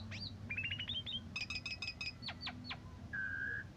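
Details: Asian pied starling in morning and evening condition, used to train and provoke other birds: a rising whistle, a quick run of clipped notes, rhythmic buzzy harmonic pulses, then a level whistled tone, over a low hum.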